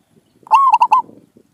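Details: Single zebra dove phrase recorded during decoy trapping of village birds: a drawn-out rising then level coo followed by three quick clipped notes, loud and clean over quiet background.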